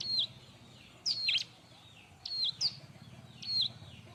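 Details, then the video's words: Bar-winged prinia song used for tutoring other birds: high level whistles ending in a downward slur, alternating with sharp sweeping notes, about one phrase per second over a low background hum. "suara r!but burung ciblek-cocok untuk masteran"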